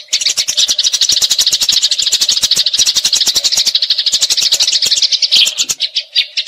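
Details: Eurasian tree sparrows squabbling in a fight: a rapid, scratchy rolling chatter of sharp chirps, about three each second, softening and breaking up near the end, used for tutoring magpie robins.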